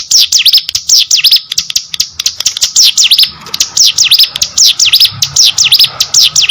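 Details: Hill prinia, or ciblek gunung, in lively full song: rapid high sweeping chirps strung together in dense, continuous bursts, with faint low background noise.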